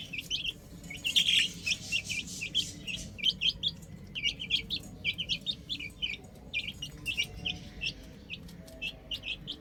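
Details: Rooftop chicks at play call in high, clipped peeps, loudest early on, then steadier single cheeps spaced evenly.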